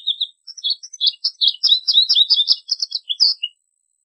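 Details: American goldfinch singing a fast, continuous stream of bright, varied twittering and warbling notes for about three and a half seconds.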